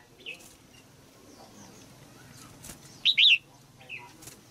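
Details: Female red-whiskered bulbul in a cage, singing to rouse an adult male, gives one brief phrase of two quick, bright, slurred notes after a quiet pause. Faint chirps sit in the background.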